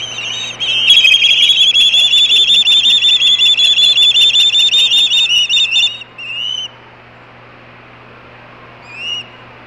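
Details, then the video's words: Osprey chicks calling on the nest, a steady, fast series of piercing whistled screams repeated nearly three times a second for about five seconds, then a couple of short rising whistles amid low hum. "Chicks Screaming on the Nest"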